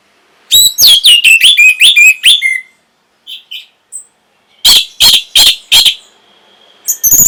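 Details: Orange-headed thrush song for stimulating breeding arousal and response: a fast sequence of loud stacked chirps and slurred whistles, quiet short notes, then four loud harsh notes and a final burst.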